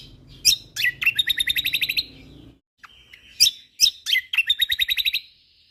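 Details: Lively song of a Lombok white-eye, known locally as kecial kombok, for training songbirds: a few sharp chips lead into a rapid rattling run of pulsed notes, a pause, then the same chip-and-rattle pattern repeated over soft low hum.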